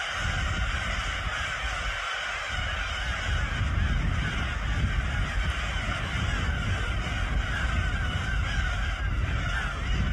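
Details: In Korea, a dense, unbroken din of Black-tailed Gulls: many harsh, mewing cries overlap into a steady colony roar over low rumbling background noise.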